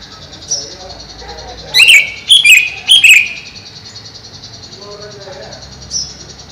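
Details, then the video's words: Greater green leafbird kept caged over a pond: three quick bursts of loud sharp whistles with falling slurs in mid-clip, with faint thin notes before and after and a steady high hiss throughout. "Burung Cucak Ijo"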